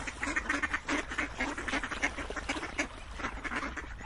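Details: Close, clear duck quacks in rapid runs, short raspy notes following each other every fraction of a second, several birds overlapping.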